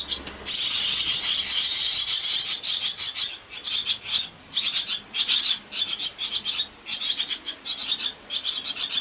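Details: Barn swallow nestlings, four together in the nest on an evening in June, beg in a loud, high, rasping chorus, first continuous, then quick bursts of shrill chattering, shortly after one chick fell during jostling for space and returned.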